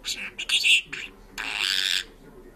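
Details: Georgian-speaking, singing parrot gives a few clipped, high-pitched word-like bursts, then a longer harsh drawn-out syllable lasting about half a second.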